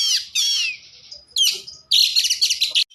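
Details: Oriental magpie-robin lure song for rousing other magpie-robins: two rasping, harmonic downslurred notes, a thin sustained tone, a sharp burst, then a loud run of rapid high chirps.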